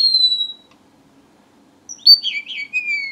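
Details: Strawberry finch singing: a long, thin whistled note gliding slightly downward, a pause of over a second, then a quick run of high sweet notes ending in a falling whistle.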